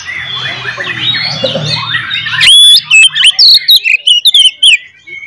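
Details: Oriental magpie-robin in fighting song to provoke other magpie-robins; soft warbling over a low hum, then a sudden loud upslurred whistle followed by rapid sharp clipped notes.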